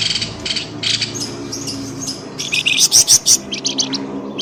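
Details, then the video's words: Excited bird chirping used as a lure to draw birds out of dense bushes: soft buzzy twitters early on, building into loud, sharp, high chirps in quick succession. "SUARA PIKAT BURUNG pelamboyan ribut"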